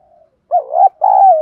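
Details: Spotted dove in the 'thúc' fighting style used to stimulate wild doves: a faint soft lead-in note, then a loud low two-part coo, the wavering first part followed by a long, gently descending tone.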